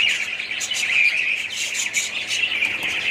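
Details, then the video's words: Budgerigar colony chatter: a short stretch of busy, overlapping chirps, squeaks and fluttering warbles from many birds at once. "budgies parrots colony"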